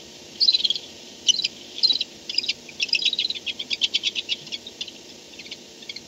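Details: Barn owl at night as it returns to the nest, 4:38 am, 2-10-16, on a nest camera; sharp, high clicking twitters in quick clusters that build into a steady rapid run near the end.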